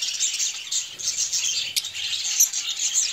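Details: Colorful budgerigars playing beside their nests: a constant dense wash of high chattering chirps and warbles from many birds, with one sharp click near the middle.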